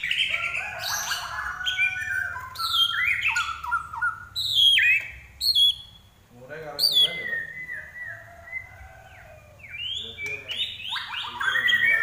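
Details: Common iora in energetic song, with varied rapid twittering, sharp downslurred notes and sustained whistles in bursts separated by brief pauses.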